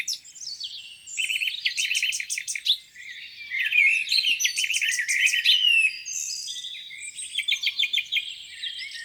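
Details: Songbirds by a lake on a spring morning: bursts of rapid repeated notes and trills alternating with whistled slurs, several birds overlapping throughout.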